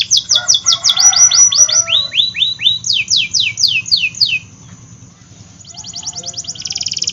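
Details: Canary in full, vigorous song, used to prompt canaries that are slow to sing. A fast series of high, falling sweeps repeats about twice a second. After a short pause, a rapid high rattling trill starts.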